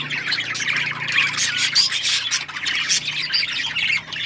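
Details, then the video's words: Several budgerigars chattering, harsh squawks mixed with rapid chirps and warbled notes in an unbroken, crowded stream of sound. "Budgies chirping sounds birds singing and enjoying"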